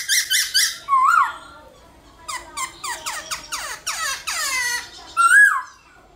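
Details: Black-throated laughingthrush fighting song in the morning, for stimulating other birds: three bright notes and a rising whistle, then a long stretch of rapid, squeaky, scratchy chattering, closing with one clear swooping whistle.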